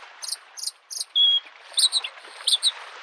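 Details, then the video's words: Bluethroat singing by a lake in spring: a few quick doubled high chirps, one sustained pure whistle, then scattered twisting high notes over a soft wash of lapping waves. "the singing of the bird Varakushki"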